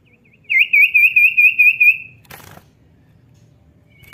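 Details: Cipow, the common iora, in full song: one sustained, evenly pulsed whistled trill of about eight wavering notes, followed by a short burst of rustling noise and a faint final note.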